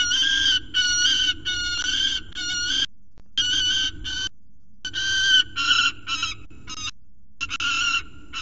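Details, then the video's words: Young male peregrine falcon at CSU Orange in a screaming fit after chasing his mother from the scrape. Continuous harsh, grating screams in rapid bursts with only brief gaps between them, with a low background rumble. "CSU Orange Peregrine Falcons ~ Pluto Has A HISSY Fit!! Chases Off Mom!"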